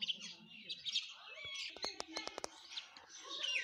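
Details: Chirping sparrows at food, with high chatter throughout and a run of sharp tapping clicks in the middle, like pecking.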